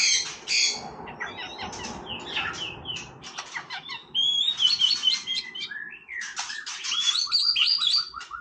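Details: White-rumped shama in casual song, pouring out a fast, varied run of clicks, chips, sharp whistles and buzzy trills. The phrases change constantly, and high sliding whistles carry the second half.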